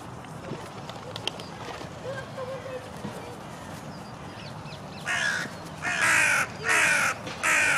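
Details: Grey herons squabbling in a rose garden several hundred yards from a lake, a fight breaking out when they get too close to each other; after five quiet seconds come four loud, harsh, croaking blasts in quick succession.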